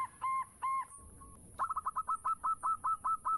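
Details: Local zebra dove singing energetically as a lure for other doves: two drawn-out cooing notes open, then a lull, followed by a brisk series of about twelve short, clipped coos at steady pitch.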